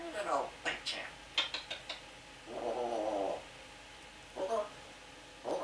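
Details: African grey kept as a pet in Aberdeen having a chatty spell: quick clicks and short syllables, a sustained mumbled speech-like phrase, then brief voiced bursts in a quiet room.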